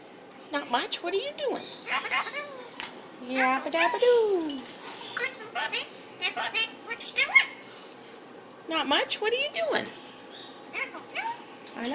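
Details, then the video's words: Caged pet Indian ringneck parakeet talking back to its owner and a bird in the next cage: bursts of raspy, mimicked words and sliding squawks separated by pauses, the owner asking for a kiss between them. "My Indian Ringneck (Bobby) talking!"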